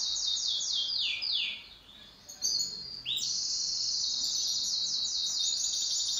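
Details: Pet canary in duet song, opening with a series of quick downward-slurred notes, a short pause with scattered chips, then a long bright high trill rolling steadily to the end.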